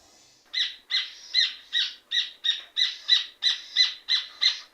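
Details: Rufous hornero, also called red ovenbird, in full song: after a faint start, loud ringing notes follow one another rapidly and evenly, about three per second.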